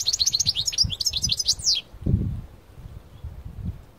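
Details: European goldfinch of the parva type singing outdoors: a rapid burst of high, cascading twitters and chirps lasting under two seconds, followed by low rumbling noise and quiet.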